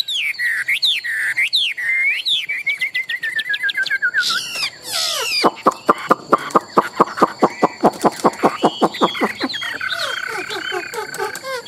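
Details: A tame, large-bodied captive Chinese hwamei, a strong competition singer, in loud, varied song: slurred looping whistles, then a rapid run of sharp repeated notes, about three a second, ending in rich warbling.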